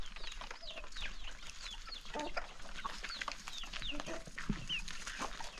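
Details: Chickens feeding on a countryside morning, with soft, high, descending peeps repeating among quiet clucks over steady low background noise.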